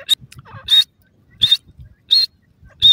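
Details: Female partridge (teetar) calling to her young, said to be teaching them; loud, clipped, whistled bursts repeated roughly every 0.7 seconds, with faint quieter notes and soft low knocks between.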